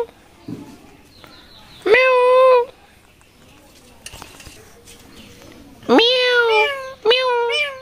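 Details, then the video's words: Rose-ringed parakeet talking: one strong nasal meow-like call, then a long quiet stretch with faint background murmur, then two more wavering, cat-like calls close together. "আজব কথা বলা টিয়া পাখি || funny talking parrot | tiya pakhi Kotha Bola || টিয়া পাখি কথা বলা"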